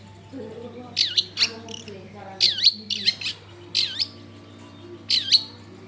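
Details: Long-tailed shrike singing to draw other shrikes into song, recorded in a crowded area: harsh, down-sweeping squawking notes in paired bursts about once a second, with faint murmuring in the background and a low hum.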